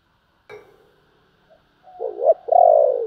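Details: Spotted dove in urging and calling coo: a faint note, then a loud phrase of a short wavering coo running into a long, drawn-out falling coo.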